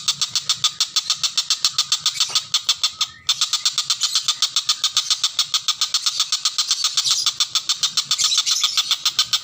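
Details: Common cicadabird song used as a tutor recording for lovebirds: a fast, harsh buzzing pulse repeated about nearly four times a second in a steady, unbroken run, with a brief break near three seconds.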